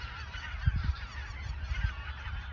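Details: Geese gathered in the Ochsenmoor nature reserve, autumn 2022, a few days ahead of migration south; a busy chorus of honking with a few sharp low thumps and a wind rumble.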